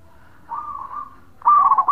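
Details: Short bekur call of a local zebra dove, given to make other doves answer. A soft, level purring coo fades out, then a sudden loud burst of rolling coos begins at the end.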